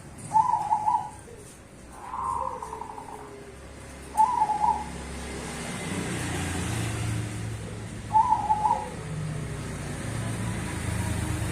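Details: Zebra doves of the cemani and Bangkok perkutut varieties singing a duet: four brief trilled coo phrases spaced about two to four seconds apart over a steady low rumble like passing traffic.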